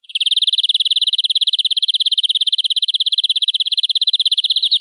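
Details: Domestic canary song for tutoring young birds: one unbroken, fast, steady high-pitched roll lasting several seconds in a quiet setting.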